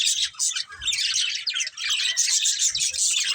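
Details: Colourful budgies, a breeding pair, keep up continuous high chattering warble, scratchy rapid chirps packed together with only short pauses between bursts.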